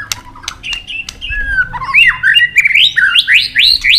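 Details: Fighting song of a white-rumped shama, delivered in long forest voice while it flicks its tail and bobs on the perch. Flat whistles open, then the phrases climb into a quick run of rising, upslurred notes.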